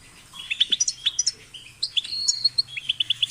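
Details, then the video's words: Short burst of goldfinch twittering: sharp high chirps, a few quick trills, then a series of evenly spaced clicky notes, with a faint steady low hum underneath. "The sound of the goldfinch's chirping drives the goldfinch crazy"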